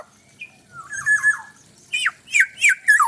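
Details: Black-naped oriole in a pareasi-style calling bout: a soft, wavering nasal note, then a run of raspy squawks, followed by four loud, harsh downslurred squawks close together.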